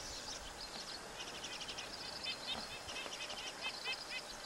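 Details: White-winged (Two-barred) Crossbill song: a lively string of high chirps and short dry trills, several per second, over a steady background hiss.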